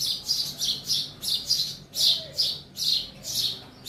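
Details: Sparrow chirping inside a house: bright, rapid chirps repeated in bursts roughly every third of a second, steady and continuous throughout, with a quiet low background hum.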